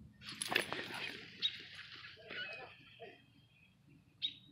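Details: A bird chirping in a tree, giving short, high chirps near 1.4, 2.3 and 4.2 seconds, with a burst of broadband noise in the first second.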